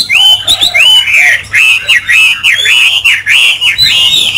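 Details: A caged Chinese hwamei kept by an owner who finds its singing quite good. Bright whistled phrases repeat in a fast series of rising-then-falling slurs, loud and continuous, over a low steady hum.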